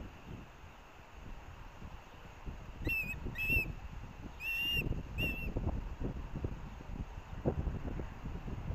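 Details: Osprey chicks at the Hellgate nest, University of Montana campus in Missoula, Montana, on 18 August 2024, competing as parents deliver fish. Four short whistled chirps with faint overtones, in two pairs, over steady low rumble and wind.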